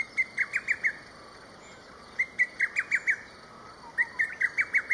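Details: A distant lesser cuckoo calls loudly in the early morning along a local riverbed, giving three loud, rapid, staccato phrases of five or six sharp notes, repeating about every two seconds, over a steady high background whine.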